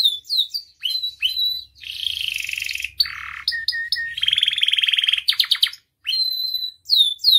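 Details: Canary song used as a master and lure to make other canaries sing, full of varied phrases: high descending whistles, dense buzzy trills, rapid rolling rattles and short repeated notes, changing every second or so.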